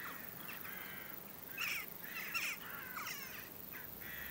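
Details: Flock of western jackdaws ahead of a storm, giving a rapid run of overlapping chack and kya calls, about one or two per second, some louder bursts in the middle, over a soft constant hiss.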